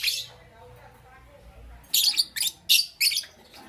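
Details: Parblue Euwing Green Opaline and Green Opaline lovebirds in the morning: one shrill chirp, a pause, then four quick loud high chirps in close succession.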